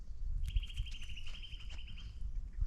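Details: A calling Eurasian Nuthatch on a windless winter day after overnight snowfall, 8 February 2024, gives a fast, even trill of high piping notes, about a dozen a second, for under two seconds, over low rumble and a dog's crunching snack.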